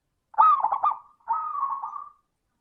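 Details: Zebra dove singing in the 'crystal' voice style, used to prompt other doves to sing; a short stuttered trill followed by a drawn-out, gently falling note.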